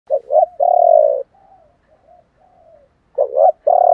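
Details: Spotted dove, male and female calls used to stimulate trained birds to coo, in the 'thổ bầu' three-note voice style; low, hollow, husky coos, a short double note, a long drawn-out coo, and softer faint coos between.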